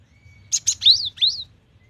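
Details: Cinereous tit (gelatik batu) in gacor singing, full of variation: one phrase of two short buzzy notes followed by two high, arching whistled notes that rise then fall, with a quiet low hum beneath.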